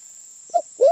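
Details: Sulawesi black pigeon call used for luring: a clipped low hoot, then a swelling, slightly rising hooted note cut off at the end. A thin steady high tone sits in the background.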